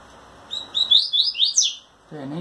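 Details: Captive male double-collared seedeater courting a female, singing and quivering its wings: a quick series of bright, high chirped notes rising toward the end, followed by a brief human voice.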